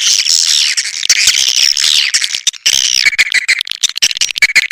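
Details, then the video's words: Swiftlet lure sound, Elang Borneo type, said to be natural and meant to attract swiftlets: sustained buzzy twitters with curving high notes, breaking into choppy, clipped chirps in the second half. "SUARA PANGGIL BURUNG WALET ASLI DARI ALAM"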